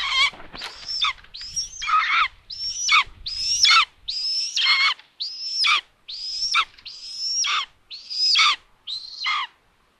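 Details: On June 21, 2022, a solar-powered nest camera in Tiszalök, Hungary, records common buzzards as the mother brings food to an empty nest. Loud, rasping mewing calls repeat steadily, about ten in a row, each ending in a falling slur.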